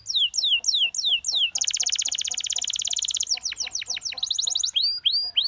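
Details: Canary singing slurred descending whistles, then a long, rich, very rapid trill lasting nearly two seconds, followed by sweeping whistles and clear looping notes, with faint soft background chirping.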